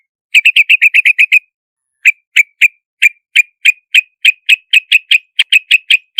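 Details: Yellow-vented bulbul for luring: a quick run of about nine chirps, a pause, then a long steady series of single bright notes. The notes come roughly every third of a second, gradually speeding up.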